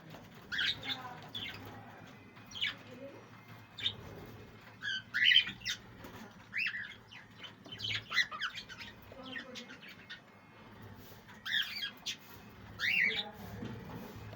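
Young budgerigars give harsh, raspy squawks in short, uneven bursts.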